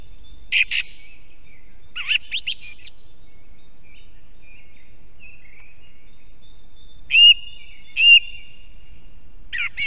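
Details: In Estonia, by an osprey nest, a song thrush delivers scattered brisk phrases, sharp chirps and short whistles with long gaps between, against a thin continuous high background tone.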